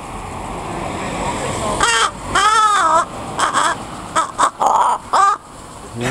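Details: Tame pied crow, let free to fly around a neighbourhood, comes close and chatters after a person imitates its weird noises. It gives nasal, wavering calls in short bursts, some rising then falling, while people talk in the background.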